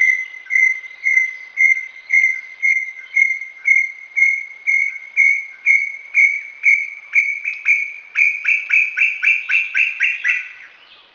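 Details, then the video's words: Brown tinamou (inhambu-guaçu) singing a long series of clear, high whistles that quicken and rise slightly in pitch toward the end; no other sounds. "Canto número 3, Inhambu Guaçu. Canto"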